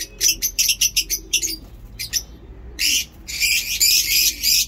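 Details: High, rapid chirping from lovebirds in Peshawar on a day of awesome weather; quick clusters of sharp notes give way to longer continuous raspy screeching toward the end.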